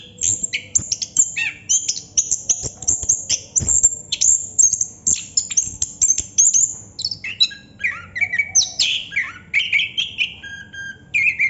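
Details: Chestnut-capped thrush in extended 'ngerol' song, opening with very high thin rapid notes and shifting into lower varied whistled phrases toward the end.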